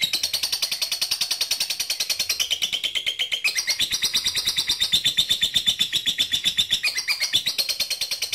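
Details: Rival-calling lovebird chattering in long ngekek, a lure recording: dense, rapid, buzzy chips pour out continuously for over eight seconds, the pitch stepping down and up several times.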